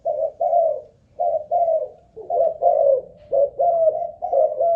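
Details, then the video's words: Captive spotted dove, a Malaysian-bred decoy bird, checked for coo endurance; four low, rough phrases, each a clipped note followed by a drawn-out purring coo, repeated about once a second. "Cu Gáy Mồi Đất || Test nước bền chim cũng thấy khá ổn"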